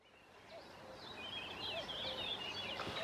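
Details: Sand martins at a breeding colony on the Bečva river, Czech Republic, 3 June 2018: overlapping high, scratchy twittering chirps that grow louder, with steady river rush beneath.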